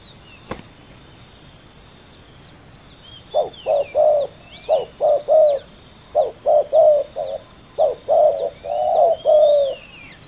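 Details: Two male spotted doves in a fierce ground decoy contest (ต่อดิน): repeated low, mellow coo phrases of two or three notes start after three seconds, with short high chirps from other small birds above and a sharp click near the start.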